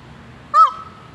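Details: A peacock, preening with a dove appearing nearby, gives a single loud, nasal honk, brief and slightly arched in pitch, over a low steady background hum.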